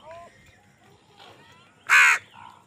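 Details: Crows squabbling over food: a single loud, harsh caw about a third of a second long, preceded by faint thin squeaky notes and followed by a soft nasal call.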